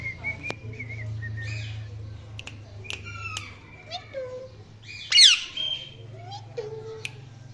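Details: Indian ringneck parrot, described as naughty, giving a string of short squawks and whistled chirps, some rising and falling, with one loud harsh screech near the end over a low steady indoor hum.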